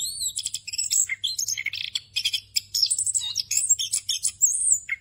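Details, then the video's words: An orange-headed thrush sings a full rolling song with fill phrases, used for tutoring other thrushes. Busy high trills, buzzy chatter and sweeping whistles follow closely on each other, with one low downslurred note and a faint hum. "ANIS KEMBANG NGEROL FULL ISIAN"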